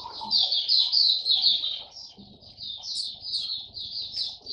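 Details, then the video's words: White-eye hobby bird, fifteenth day on a song-display supplement, second test round, 3 November 2022, delivers a continuous fast twittering warble, high and tinny, with quick slurred notes that barely pause, over soft low rumble. "Mata Puteh Buka Sing"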